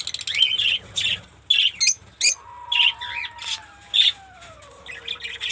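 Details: Fischer's lovebirds, called fisher parrots, kept in a small caged mini colony in Pakistan, give sharp, high, squeaky chirps in short bursts about once a second, while a steady whistle-like tone slides slowly downward in the background.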